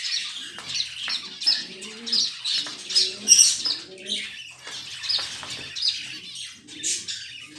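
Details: Budgerigar cleaning its nest before the next clutch, giving soft, scratchy chirps in quick bursts, mixed with rustling and scraping.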